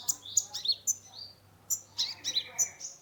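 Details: Caged kolibri ninja sunbird in busy song meant to stir a stressed bird: quick high piercing chips and short descending whistles, rattled off several per second with a brief gap midway, low hum behind.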